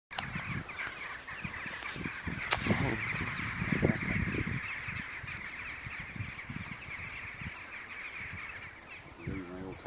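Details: Many thousands of rooks gathering to roost on a winter evening in a field at Buckenham Carrs, Norfolk, on 31 December 2011: a dense, continuous wall of harsh overlapping caws, with louder nearby calls bursting out of the massed din.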